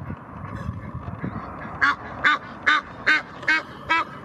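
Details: Aggressive Egyptian geese guarding their territory on the Blies, Ludwigshafen am Rhein; low rumbling background at first, then seven loud, grating honks repeated at regular intervals of roughly 0.4 seconds.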